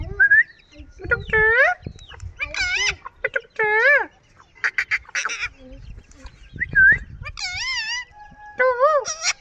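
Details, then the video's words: Green ring-necked parakeet, a Kashmiri tota, talking: harmonic, wavering speech-like phrases around one to two seconds long, bending up and down in pitch, separated by short pauses, with some sharp clicks and brief whistled notes. "Green Ring neck Super Toking Raw Kashmire Tota funny parrot"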